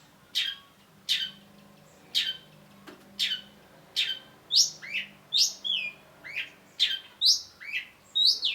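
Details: Long-tailed shrike in full, prolific song: a run of harsh, scratchy notes about once a second, then quicker, varied whistled and slurred phrases.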